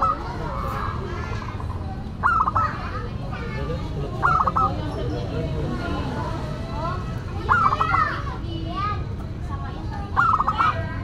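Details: Local zebra dove in full song, with a voice called classic and unique. Brief staccato cooing bursts recur every two to three seconds amid steady background chatter of other birds and a faint vehicle.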